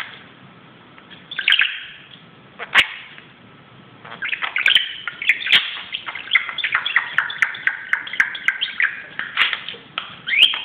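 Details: Budgie fooling around on top of a closet: a few isolated chirps and a click, then a long continuous stream of rapid twittering chatter.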